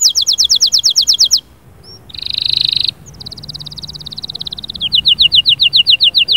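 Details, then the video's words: Canary song played to encourage a silent bird to sing: fast high repeated notes, a short harsh buzzy burst, a rolling trill, then another rapid series of bright chips. "اياك وتقول عصفوري الكناري ساكت أدخل عليه البهجة بالمقطع الاكثر تحفيز"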